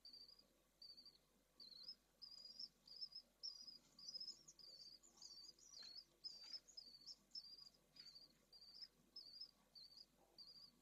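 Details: Pallid swift nest in Jerez de la Frontera, Spain, where two chicks of a second clutch have just hatched during high temperatures; thin high chirps repeated roughly twice per second over a faint background hum.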